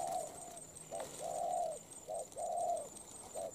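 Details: Spotted dove, a moulting bird, praised as quick and strong-voiced with good cooing; low mellow coos alternate short and drawn-out, about five notes in under four seconds, with faint clicks and a steady high hum behind.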